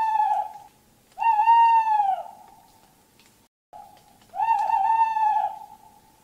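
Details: Two strong, full-toned Tawny owl hoots, each about a second long with a slight rise and fall, spaced roughly three seconds apart, with a faint tail of the previous note at the start.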